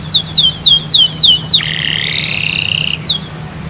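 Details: Canary song used as therapy to prompt other canaries to sing: a run of rapid descending whistled notes, then a steady buzzy trill held for over a second, and a final falling note, with a low hum underneath.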